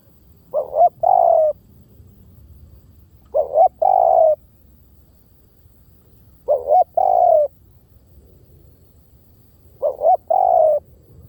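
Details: Decoy-style coo of a spotted dove, 'V18' type: four phrases spaced about three seconds apart, each a short stuttered pair of hoots leading into a drawn-out, gently descending coo, clear against faint low rumble.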